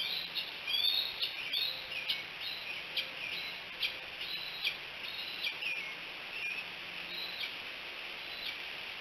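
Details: Decorah bald eagle captured on a nest cam, 5 July 2018 around midday: a run of thin piercing whistles, each bending down then up, given in clustered series with short gaps, over constant outdoor hiss.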